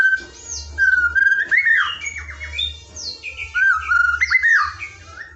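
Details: Lazy-shama training recording of murai batu filler song: loud rich whistled phrases swooping up and down, repeated twice, with lighter high notes between and a faint low hum.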